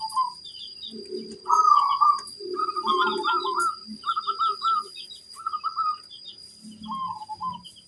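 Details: Lure song of a local zebra dove, used so other zebra doves reply: bright stuttering coo phrases in a steady series, with softer, lower murmuring coos and faint high chirps behind them.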